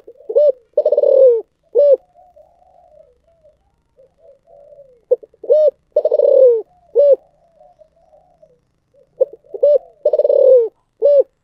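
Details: Spotted dove repeating its 'giọng thổ sấm' song three times: each phrase has clipped coos, a long downward-sliding coo and a final rounded note, joined by quiet soft cooing between phrases.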